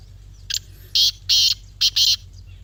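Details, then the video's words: Grey francolin gives five harsh, high, grating notes in quick succession over about two seconds, the later ones paired, over a faint low hum. The call is played to prompt silent captive francolins to call. "Teetar Voice for Non-Singing Birds"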